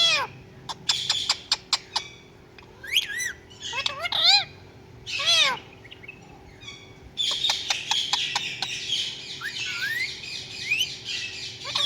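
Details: Pet talking parrot mimicking meows: arched whistled cries, sharp clicks and bursts of harsh squawking chatter across the recording.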